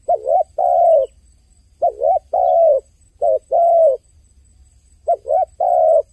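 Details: Dove repeating its crying phrase three times, each a wavering double note followed by a sustained steady coo, spaced roughly every two seconds.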